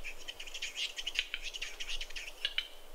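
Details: Fighting western capercaillies at a spring lek in snow in Kuusamo, Finland, in May 2021 give a quick run of dry, scratchy, hissing bursts, about a dozen in three seconds, high and rasping.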